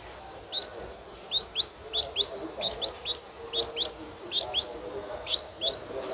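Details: Nestling Streak-eared bulbul aged 11 days, recorded 13 April 2023 in Ubon Ratchathani, Thailand: a steady series of high, piercing, downslurred chirps, often doubled, repeated several times per second, clear above faint background noise.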